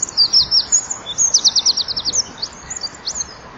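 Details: Eurasian wren on a winter dusk, 23 January 2014, singing with wing-flapping by a nest-wall camera: an unbroken, rapid stream of piercing high trilled notes that gradually softens.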